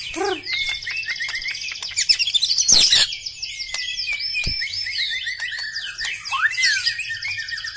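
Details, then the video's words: A black-legged white-rumped shama pours out a dense, high, twittering song of rapid chirps, slurred whistles, and trills, with a brief louder burst in the middle. "Ciri khas gaya dan Suara murai Batu kaki hitam istimewa"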